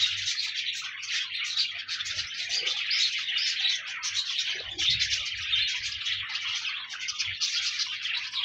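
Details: Many pet parakeets warbling together, played for a budgie living alone: unbroken high chirruping chatter with a few lower grating notes and faint thuds.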